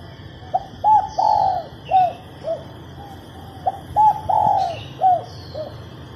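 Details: Female spotted dove cooing to prompt males to sing. Two phrases of mellow coos, each with a long swelling note followed by short falling ones, over a constant high electrical tone and faint chirps.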